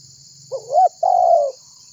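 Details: Single phrase from a spotted dove (tekukur) calling to prompt other birds to join in: a brief upswept note followed by a sustained, gently falling coo, with constant shrill insect noise behind.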